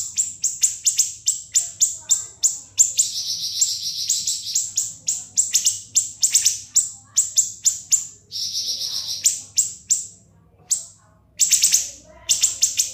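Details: Caged siri-siri singing continuously ('ngebren') as tutor song for training other cage birds: rapid series of sharp, very high piercing chirps with short buzzy trills, nearly unbroken, with brief pauses around ten and eleven seconds.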